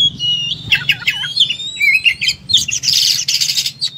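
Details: Oriental magpie-robin song with fast whistled phrases, a long thin rising note and dense buzzy bursts toward the end, delivered rapidly.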